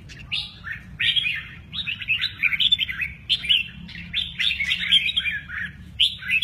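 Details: Red-whiskered bulbul delivering mơ ché nẹt song with lively wing play: short, clear warbled phrases of rising and falling chirps, repeated in quick bursts with brief gaps between, over a quiet low hum.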